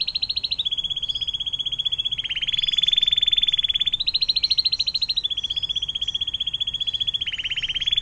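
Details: Canary performing long 'air mancuran' water-fountain song for tutoring other cage birds: sustained rapid rolls that alternate between a higher and a lower tour, each lasting one to three seconds, with a brief buzzy lower section between them.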